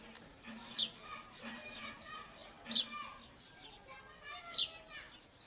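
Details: High, clipped, descending chip notes, three of them spaced about two seconds apart, come from purple sunbirds bringing food to their chicks. Muffled voices and soft low tones sit in the background.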